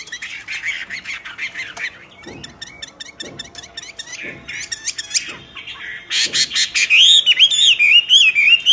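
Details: Common hill myna singing vigorously: rapid clicking and chattering notes with a few dull knocks, building to harsh loud bursts and ending in a wavering whistled phrase.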